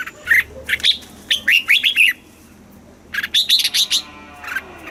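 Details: Southern master-style song of a caged Red-whiskered bulbul from Thailand, for exciting birds and teaching chicks: two energetic bursts of sharp whistled and bubbling notes separated by a brief pause.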